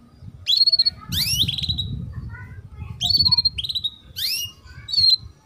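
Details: Female canary chirping, used to teach young males to sing: sharp rising chirps mixed with short buzzy trills in irregular bursts, with low rumbling background noise.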